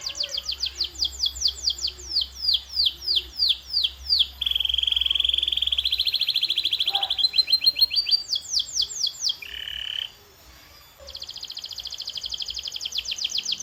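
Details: Canary training song: rapid falling notes, a long steady buzzy tone, bursts of sweeping notes, a short loud whistle, then a quick high rattle trill.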